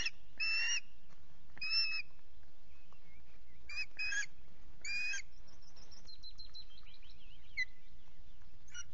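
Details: Osprey at the RSPB Loch Garten nest, a ringed male on a misty morning of good fishing, gives a few separated strident notes; a thin, twittering songbird follows in the background.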